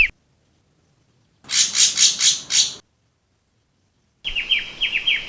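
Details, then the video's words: Long-tailed shrike sound used as a lure in Java: five loud harsh grating pulses in quick succession, then after silence a run of repeated sharp downslurred whistles. "CIU BESAR SUARA PIKAT"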